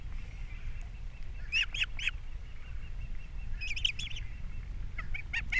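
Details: Ospreys at their Captiva nest on April 3, 2022, the male bringing fish and the female feeding chicks; short groups of two or three sharp, high whistled chirps separated by pauses, over constant low rumble.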